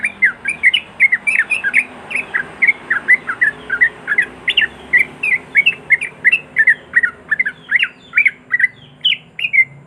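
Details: Continuous rapid 'ropel' song of a sooty-headed bulbul, meant to make quiet bulbuls sing: steady chattering stream of short bright warbled notes, nearly three per second, without pause throughout.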